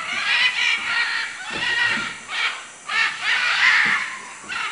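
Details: Macaws in Manu, Peru, giving harsh, raspy squawks in a series of loud bursts, each about half a second long, with short gaps between them and a steady hiss of forest background.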